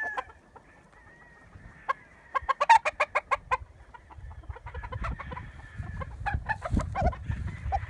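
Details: Chickens give a burst of loud, evenly spaced clucks, about six in a row, then softer scattered clucking over low rumbling and a faint distant crow.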